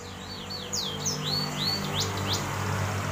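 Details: Crossbred canary and black-throated canary giving a short run of high looping, slurred whistles, rising and falling, over a continuous low hum and background noise.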